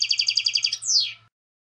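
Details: European goldfinch song: a quick series of about ten evenly repeated high buzzy notes, then one falling sweep, with a faint low steady hum behind.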